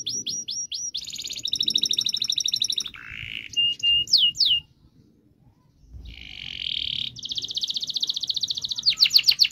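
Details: Canary song for prompting silent birds to sing: varied phrases of rapid trills, buzzy rolls and sweeping whistles, broken by a short silence, then a long sustained rolling trill and quick repeated notes.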